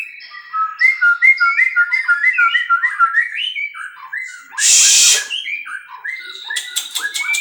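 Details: Captive-bred white-rumped shama singing a lively string of short, slurred whistles stepping up and down, broken by a brief burst of hissing noise, then more whistles and clicks.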